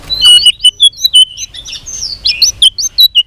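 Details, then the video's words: White-rumped shama trained for singing contests, delivering a continuous run of high whistled and twittering notes, quick and varied, with barely any gaps. "chòe lửa hót đấu .luyện chòe lửa căng lửa hót nhiều giọng .chòe lửa đánh đuôi thúc bổi"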